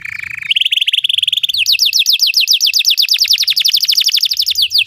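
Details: Belgian canary singing: a steady high whistled note, then a higher sustained tone, breaking into a fast trill of sharply falling notes repeated several times per second.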